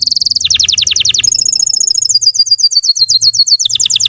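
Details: Russian canary singing as bait to stir other canaries into song: a rapid pulsed trill that shifts into a faster tour, then a long run of quick, repeated, down-slurred chips.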